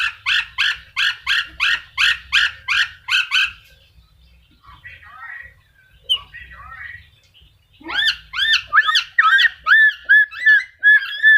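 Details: Black-capped lory repeating harsh, grating calls in an even series, about ten in three and a half seconds, then after a quieter gap a run of bouncing, rising-and-falling shrill notes; a faint low hum sits beneath.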